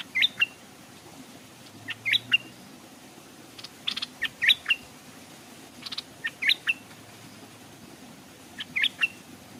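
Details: Stripe-throated Bulbul used as a caged decoy by a stream, wild birds nearby but hesitant to descend; short sharp chirped phrases of two or three notes repeated roughly every two seconds over a steady low rumble.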